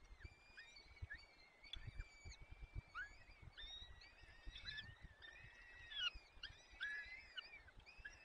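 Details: At a Peregrine falcon nest in the Barycz Valley, 30 April 2020, afternoon, the male tears prey and feeds the waking chicks; overlapping harmonic whining calls, steady and slightly rising, come in rapid bursts with low thumps of movement.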